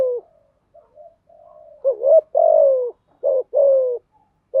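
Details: Spotted dove cooing used to coax newly caught birds into singing: soft faint coos at first, then loud rough phrases of a rising note and longer falling notes, repeated quickly, clean background.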